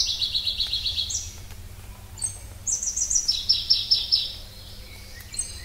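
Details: Pallas's leaf warbler singing quick repeated high notes, a brief pause, then thin whistles and another rapid rolling series of bright notes; faint steady hum beneath.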